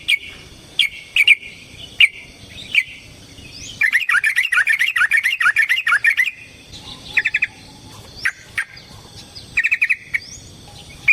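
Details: Yellow-vented bulbul in a provoking fighting song: a few separate whistled notes, then a dense two-second rush of rapid chattering notes, ending with short quick trills and scattered chirps.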